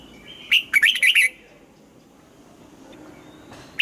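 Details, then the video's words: {'caption': "Morning song of a red-whiskered bulbul being trained in the double-note 'âm kép già rừng' style: one quick burst of five or six bright, fluty warbled notes, then a near-silent pause."} "Luyện giọng cho chào mào hót sáng, ép chào mào hót âm kép già rừng hay tuyệt!"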